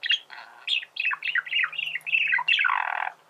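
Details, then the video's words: Chattering warble from a male budgerigar: squeaky rising and falling notes strung together rapidly, closing with a harsh, buzzy burst. "فيديو ممتع لتغريد ذكر بادجي"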